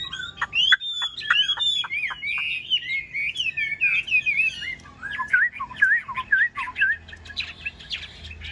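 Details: Yellow-billed Chinese hwamei kept in a cage, new to its keeper and still hesitant to sing fully. Loud clear whistles and rapid warbles give way to repeated looping phrases.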